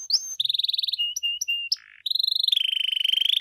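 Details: Canary song used to prompt other canaries to respond, mixing buzzy trills, short clipped whistles and a low burst before a long, even, steady trill that steps down in pitch.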